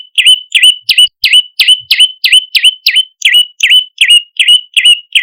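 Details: Lure call of an olive-backed tailorbird, used to draw in other birds: loud, clear notes, each dipping then levelling off, repeated roughly three times a second in a steady, insistent series.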